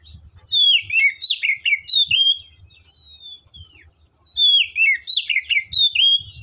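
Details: Wild Oriental magpie-robin in the forest pouring out two loud bursts of rich, rapidly repeated whistled and warbled notes, with a quieter pause of softer notes between them and a thin steady high tone behind.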